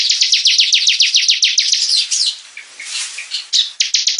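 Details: A bar-winged prinia in energetic song, starting with a fast series of sharp, downslurred chips about four per second. A jumbled twittering passage follows before the chips return.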